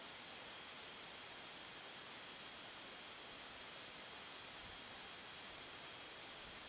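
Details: Steady, even hiss of static across the whole range, with no animal calls, voices or other distinct sounds.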